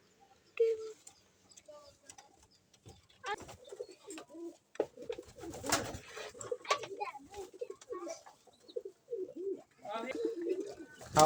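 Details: Soft, low coos of a pigeon chick come in short throaty bursts, with people talking nearby.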